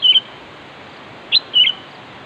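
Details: Sooty-headed bulbul calling to lure a rival: a short clear whistled phrase at the start, then a single sharp note and a slurred two-part whistle near the end, against steady hiss.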